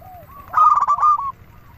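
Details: Single brief phrase from a local zebra dove used as a lure: a soft low coo, then a loud fast run of stuttered notes that fades into a smooth sustained coo.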